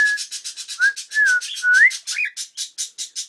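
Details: Whistled phrases from a cockatiel practising "Kotori no Uta", slurred notes rising and falling, then mostly a steady rhythmic rubbing sound about twice per second taking over.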